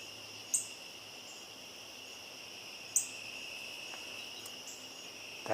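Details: At dusk on 3 September 2022, as it grows dark, a bird believed to be a Northern Cardinal, heard but not seen, gives sharp, high, metallic chips, two clear notes about two and a half seconds apart and a fainter third, over a steady insect hum.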